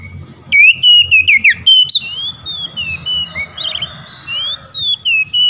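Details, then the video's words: Oriental magpie-robin in ngeplong style calling to rivals, which reply; a loud run of bright whistled notes opens, followed by softer, wavering whistles and a few sharp notes over steady low background rumble. "Kacer ngeplong panggil lawan.kacer lain auto nyaut"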